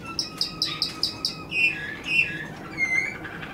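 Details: Song of a Waterslager canary: six quick, clear, high notes repeated evenly, followed by three lower, fuller slurred whistles that dip and rise, over a quiet background.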